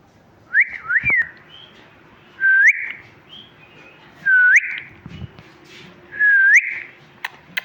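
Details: Talking parrot chirping: four short whistles, each sweeping upward, spaced about two seconds apart, with faint background hum and occasional knocks.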